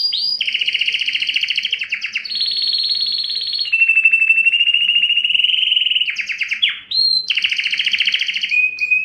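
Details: Canary, male singing strongly and at length to attract females for mating and breeding: loud, continuous song of fast rolled trills on steady pitches, switching between high and lower tours every second or two, with a brief rising sweep near the end.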